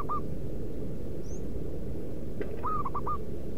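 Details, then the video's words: A local zebra dove, used as a lure to call wild perkutut, gives soft mid-pitched coos: one short note, then a quick run of three or four stepped coos, over heavy low rumbling noise with a faint high chirp. "pemanggil perkutut di alam liar"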